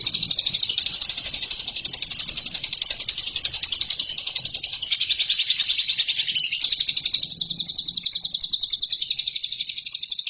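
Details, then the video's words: Long, continuous rapid trilling from a lovebird, recorded as training material for competition birds. Dense high chatter runs nonstop, briefly changing texture midway, over a faint low background hum. "MASTERAN LOVEBIRD RAHASIA BURUNG JUARA"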